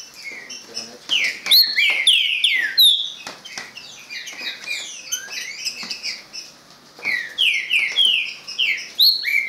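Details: Privately owned green-winged saltator delivering bright falling whistled phrases, repeated about three times a second in bursts, amid dense high twittering and brief clicks.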